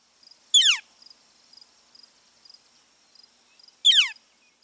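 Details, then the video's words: A Northern Flicker gives two loud, harsh, sharply falling scream-like calls about three seconds apart, over faint, steady high ticking from insects. "Northern Flicker Call 2 (another call)"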